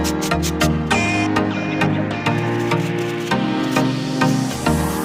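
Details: Electronic dance music with a thumping beat and synth chords plays throughout, with no animal sound.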